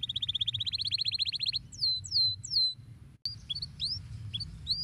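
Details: Stimulating song of a canary for lazy canaries: a fast even trill of repeated notes lasting over a second, three slow descending whistles, a brief gap, then scattered chirps over a low hum.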